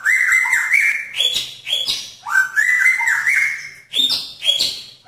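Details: Male magpie-robin in a pairing cage trying to win a female's attention, giving rich, loud whistled phrases of sliding and stepped notes, each broken by sharp high chips, about two phrases per second.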